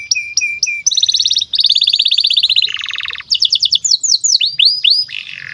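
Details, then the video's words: Domestic canary singing, used as a master recording to train young canaries and birds that have stopped singing: a few clipped whistles, then fast buzzy trills at shifting speeds and pitches, ending in looping upslurred notes. "SUARA BURUNG Kenari GACOR PANJANG INI Cocok untuk Masteran KENARI PAUD dan Kenari Macet BUNYI"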